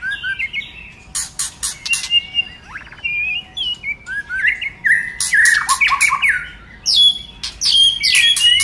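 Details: White-rumped shama song with many voices, used to encourage other shamas to sing: scattered whistled slurs and harsh chattering bursts, with sharp clicks among the phrases.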